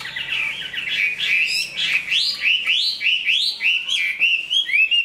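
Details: Chinese hwamei, a large bird described as a strong singer and good fighter, now growing new plumage, delivering loud rich song of rising whistled and slurred phrases repeated almost twice a second, with faint background hum.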